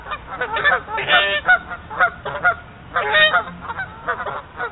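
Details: Two territorial geese about three feet from a trail camera, honking and blowing raspberries up close: harsh, nasal honks and raspy bursts in irregular clusters, overlapping and rising to louder peaks at around one and three seconds.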